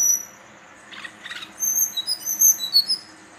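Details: A young male brown-chested jungle flycatcher, aged 3–4 months, from Banten, sings a quick run of thin, very high whistled notes, rising and falling, after two brief scratchy bursts.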